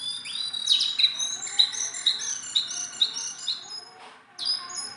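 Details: Hand-tame Sunda bulbul singing a repeated pattern: a bright high note struck roughly every half second over sustained whistles, then a short pause and a fresh sharp burst.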